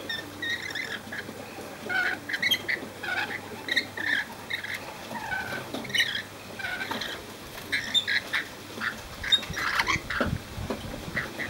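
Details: Rainbow lorikeets flying free and befriended at Cromer, Sydney, keep up a busy chatter of short rasping screeches and chips, many overlapping, at irregular intervals through the whole stretch.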